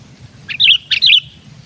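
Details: Kept sooty-headed bulbul in lively voice, used to call in wild bulbuls: two short phrases, each a clipped note then a bright, looping whistled flourish, with faint low background noise.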